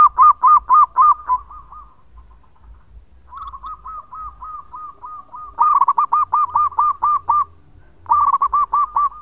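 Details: Male local zebra dove singing as a lure: repeated loud runs of quick, evenly spaced hooting coos, several in each phrase, separated by a softer series of coos, with faint low rumbling beneath.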